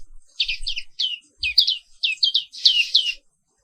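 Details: Black-capped white-eye from Indonesia in the morning, giving tight pairs of bright, falling chirps that grow fuller toward the end before stopping abruptly.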